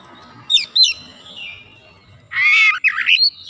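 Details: White-rumped shama, a lazy singer being restored, utters two sharp high notes, a soft trailing whistle, then a loud harsh buzzy squawk followed by short whistled notes.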